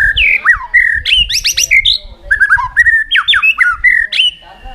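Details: Competitive song of a White-rumped shama, varied and continuous: whistled slurs, rapid stacked upward sweeps, and repeated downward-bending notes in quick succession, with faint low background rumble.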